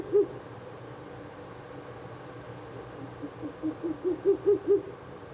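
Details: Ural owl calling near its nest box at night on 16 April 2024, the third night of nest visits. One low, soft hoot opens, then after a quiet gap a run of about seven low hoots that swell louder toward the end, against a still background.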